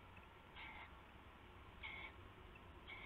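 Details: Three brief scratchy screeches from an owl at night, 19 February 2016, as a rabbit is passed and taken as prey; bursts spaced over a second apart above a faint hum.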